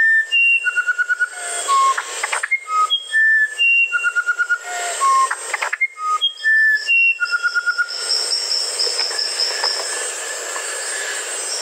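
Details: Musician wren singing a repeated phrase of clear, flute-like whistles at different pitches, each with a brief trill, then a hissy stretch with a faint high note series.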